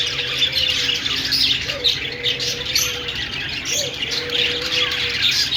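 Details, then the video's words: Budgies, Australian parrots, singing in a dense high chatter of squawks and twitters, with a lower drawn-out tone heard twice, each opening with a short rising note. "Australian parrot singing |love birds sounds |parakeet chirping sounds |budgies"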